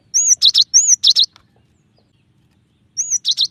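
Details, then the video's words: Cinereous tit singing a varied song: bursts of high whistled arched notes alternating with sharp buzzy chips, a quick phrase of about five notes, a pause, then the phrase starts again. "suara burung glatik batu bervariasi"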